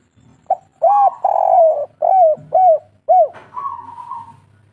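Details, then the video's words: Spotted dove, local type, singing kuk 3: a short note, a long swelling coo, then three arched coos about half a second apart, closing with a softer level tone. "Derkuku kuk3 lokal gacor"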